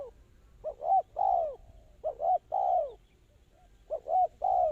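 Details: A spotted dove serving as a trapping lure gives three clear phrases about 1.5 seconds apart. Each is two brief rising coos and then a long, arching, downward-slurred note, in quiet surroundings.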